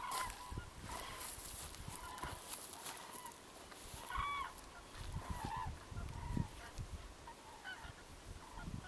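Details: Common cranes feeding in a field in winter, pecking here and there; scattered clear trumpeting notes with ringing overtones, some rising, mixed with low rumbling wind or handling noise and short clicks.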